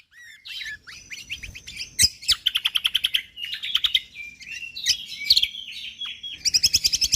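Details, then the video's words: Lombok white-eye in full, busy song with dense rapid bursts: varied high chirps and slurred notes, then a fast buzzy trill of repeated notes around two seconds in, more chattering phrases, and a closing rapid trill. "Cucak Kombok Juara / Kecial Kombok Gacor Full Tembakan rapat"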